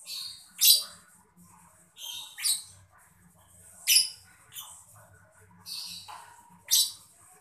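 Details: Mocca lovebird chirping, used to prompt other birds into singing: harsh, squeaky bursts of chirps roughly every one to one and a half seconds, some with a rasping edge, with quiet gaps between.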